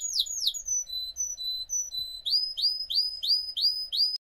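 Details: Russian canary bred for singing: clear descending whistled swoops, then level piping notes, then a rapid series of rising whistled slurs repeated about three times per second.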